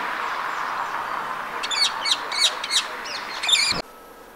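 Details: Rose-ringed parakeet calling in winter in Empuriabrava, Catalonia, Spain, on 26 January 2022: a rapid run of six harsh, grating screeches in close succession, over a constant low hum, ending abruptly.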